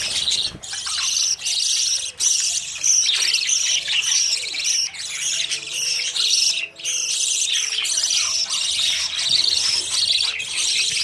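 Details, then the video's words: Budgerigar babies leaving the nest and running after parents for food; a steady flock chatter of rapid high chirps and warbles, with brief gaps near two and seven seconds. "Budgies babies running for food"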